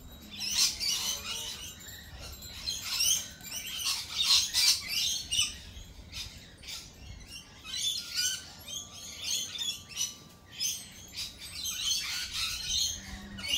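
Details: Lorikeets in a noisy flock, giving harsh, buzzy screeches in rapid overlapping bursts, several per second, rising and falling in loudness, with a faint thin whistle running underneath.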